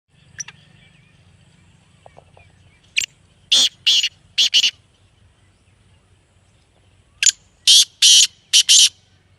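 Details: Black francolin (kala teetar) calls, a recording played near a captive bird to make it call loudly and become active: two harsh, grating phrases of five or six rasping bursts each, separated by a quiet pause with faint low rumble.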